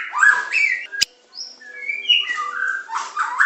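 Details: White-rumped shama of the Medan type, a training song in pancingan, macet, tembakan and isian styles: loud varied whistled phrases between 1 and 8k, a sharp click midway, then a quieter gap before rich overlapping whistles resume.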